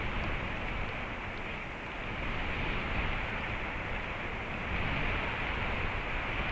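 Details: Steady broadband rushing noise, like wind or surf, with no animal voices.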